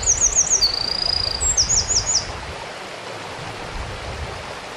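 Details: Eurasian wren singing on the Kogesawa forest road in Ura-Takao, Japan: very high, rapid tinkling notes run into a long, even, buzzy trill, then another burst of sharp high notes, over a steady stream hiss.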